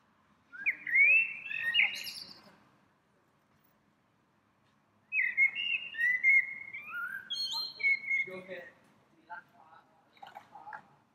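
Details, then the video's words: One small bird singing melodiously from a tree in spring: a warbled whistled phrase, a pause of a few seconds, then a longer rambling series of twisting high notes and chirps. "鸟鸣 一只小鸟儿的单口相声"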